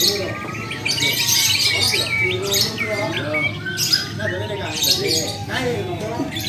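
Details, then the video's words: Caged lovebirds competing at a singing contest in Muara Wahau give harsh squawks and long runs of high, scratchy chatter that swell and fade, over steady murmuring voices of onlookers. "LOMBA BURUNG BERKICAU " LOVEBIRD ""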